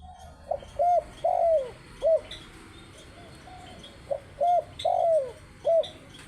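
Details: Spotted dove cooing: low, soft two-part coos, a short note followed by a longer falling one, repeated about four times, with faint background hiss.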